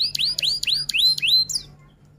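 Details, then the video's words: F1 canary tutor song in roll-and-'tembak' style: five or six clear, upward-sweeping whistled notes repeated about every quarter second, ending in a short high flourish. "Kenari F1 Gacor Rol Tembak Top Durasi Panjang"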